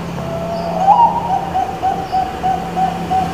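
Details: Bangkok-type zebra dove song played as a lure for birds that rarely sing: a soft, mid-pitched rolling coo, beaded into rapid pulses and sustained throughout, with a faint low hum underneath.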